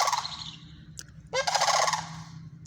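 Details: Sandhill cranes sounding off with a fading harsh rolling note, a brief click, then a fresh loud rattling bugle that starts with a short rising tone; low hum throughout.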